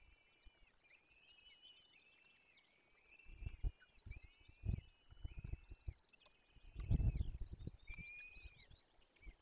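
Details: Peregrine falcon chicks at a forest nest during feeding, Barycz Valley, Poland, 17 April 2024. Dense chorus of high, thin, squealing whines, many overlapping, with quiet background later broken by low bumps and rumbling.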